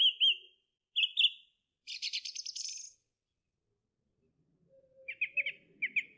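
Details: Song thrush singing: two whistled phrases, then a dry, buzzy rattle, a pause, and a quick stuttering phrase repeated twice.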